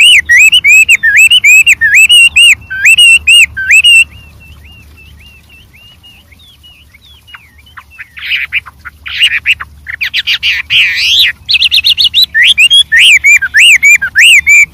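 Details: White-rumped shama singing in the wild with much variation: loud repeated whistled phrases, then a quieter stretch of soft notes, followed by harsher scratchy bursts and a return to clear looping whistles.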